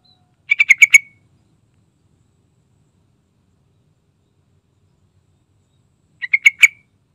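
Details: Lively gacor song of a yellow-vented bulbul, used as a lure to coax other bulbuls into singing. Two rapid bubbly phrases of about five notes each are separated by a long pause.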